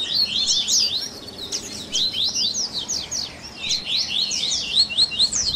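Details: Double-collared seedeater singing baderninha, a warm-up song to get a captive bird singing: fast, steady runs of high, sharp, slurred chirps, rising and falling in quick zigzags throughout.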